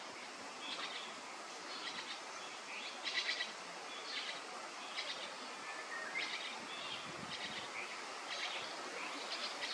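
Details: Starling fledglings at the nest: short raspy, buzzy bursts repeated about once a second in uneven clusters, some louder doubled notes, over a steady broadband hiss of background noise.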